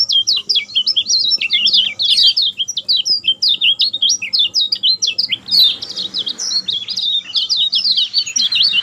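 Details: Kecial kuning, or lemon-bellied white-eye, singing nonstop as a prompt for a silent bird: a long, fast, continuous string of high bright chirps and trills with little variation.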